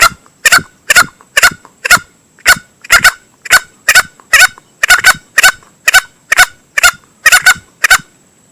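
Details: Male green junglefowl crowing, used as a lure for hunting: a long run of short, rasping double-noted calls repeated roughly twice a second, loud and clean against a quiet background with a thin constant high tone.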